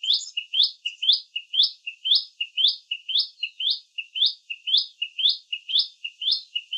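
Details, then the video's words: Common tailorbird, a tiny garden and bush bird in India, calling with constant chirps: a steady, regular series of two-part chirps, high then lower, about two per second. "SOUND of Common Tailorbird"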